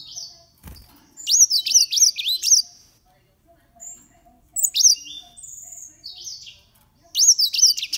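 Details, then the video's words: Green singing finches, aged 13 years, deliver three bursts of rapid, high, looping whistled notes, each burst a string of bouncy up-and-down chirps, separated by quieter drawn-out tones and a brief knock near the start. "Green singing finches"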